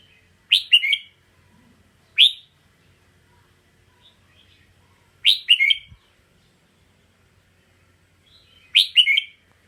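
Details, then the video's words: Four short, bright bulbul phrases spaced irregularly over ten seconds, each one to three quick, liquid notes; a red-whiskered bulbul in a calm, quiet place. "เสียงร้อง นกกรงหัวจุก ( ສ່ຽງຮ້ອງ ນົກປະຫຼຽວ"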